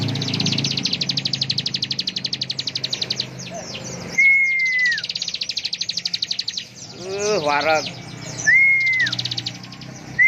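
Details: Bar-winged prinia singing ngebren, long stretches of very rapid, high, metallic trilling, broken by clear flat whistles and a cluster of lower warbling notes; a man speaks in between.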